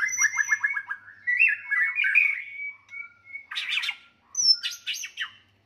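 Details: White-rumped shama in a fighting song used to challenge rivals: it opens with a rapid row of about eight clipped notes, followed by smooth whistles, a long flat note, then harsh buzzy bursts with high whistles.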